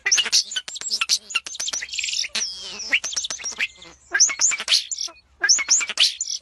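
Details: Lively twittering bird song in bursts of sharp high chirps and squeaky notes, broken by short pauses, the phrases returning about every second.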